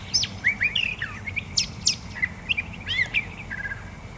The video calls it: Curve Billed Thrasher song